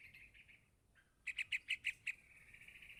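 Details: Yellow-vented bulbul chick begging from its parent with soft wavering notes, then six loud, sharp chirps in a rapid regular series, trailing into a thin sustained whine.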